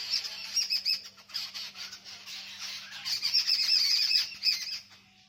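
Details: Birds chirping around a village home, a dense jumble of high, bright twittering notes rising and falling in bursts over about five seconds, with no other clear sounds.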